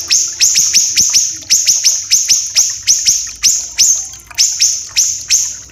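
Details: Siri-siri kecil, the common iora of Sumatra and Kalimantan, with rough, dense, long singing. Bursts of two to four quick, high, downward-slurred notes, repeated without rest across the clip.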